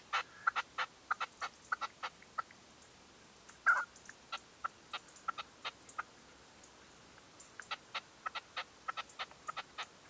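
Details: Decoy red-legged partridge calling at dawn during a 2023 hunting session: clipped, dry notes repeated steadily over ten seconds, with one louder harsh burst near the middle and a short pause before the series resumes.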